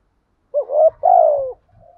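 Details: Caged decoy spotted dove cooing to draw in wild doves: two low, mellow coo phrases, the first short and rising, the second longer and sliding gently down, in a quiet setting.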